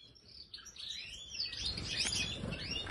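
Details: European goldfinch, Major type, in an aviary, giving a short burst of high, quick twittering with rising and falling whistled slurs, growing louder over a soft low background hum.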